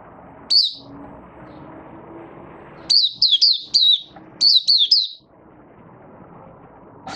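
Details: Oriental white-eye from Malaysia, a caged Raja bird being built into form, gives its opening song as high, sharp, wavering chirps linked into fast runs of three or four notes, separated by pauses over faint low rumbling.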